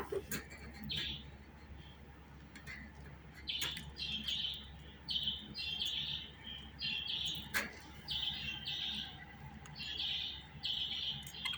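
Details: Budgerigar chattering in quick runs of short buzzy chirps, several per second at times, broken by sharp clicks, over a constant low hum.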